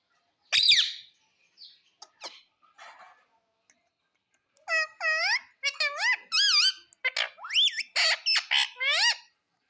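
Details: Talking Indian ringneck parakeet, said to speak mummy and papa, starts with a few sharp clicks and scattered noises, then chatters a rapid run of about ten high, arched, speech-like syllables in quick succession.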